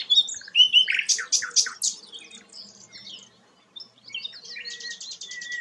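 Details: Sikatan londo flycatcher singing energetically: whistled notes dropping in pitch, a cluster of loud sharp chips, a quiet pause, then a buzzy high rattle and a thin whistle.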